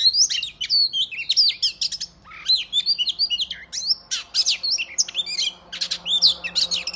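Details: Oriental magpie-robin delivering a fighting song meant to provoke other males into opening their tails. Rapid, varied whistled phrases with sharp slurred notes and quick chirps come in dense bursts separated by short pauses.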